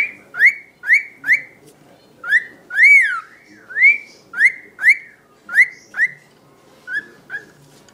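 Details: One-year-old pet male cockatiel singing to a tissue: a series of clear, rising whistled notes repeated about twice per second, each sweeping sharply upward, with a slightly longer note near the middle and softer notes trailing at the end.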